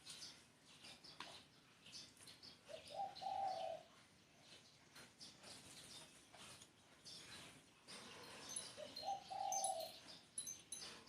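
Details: Spotted dove giving two spaced, soft coo phrases about six seconds apart, each a quick stepped rise into a sustained low hoot, among constant high twittering of small birds.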